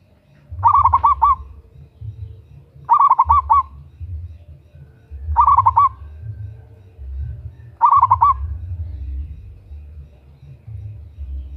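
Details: Local zebra dove female calling the male, a lure recording: four loud phrases of rapid bubbling coos, each about half a second long and repeated roughly every two and a half seconds, over steady low rumble.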